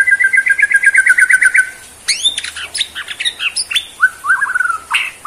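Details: Bowing Borneo white-rumped shama opens with a quick, even string of bright repeated notes, then breaks into scattered sharp upswept whistles, clicks and short warbled phrases.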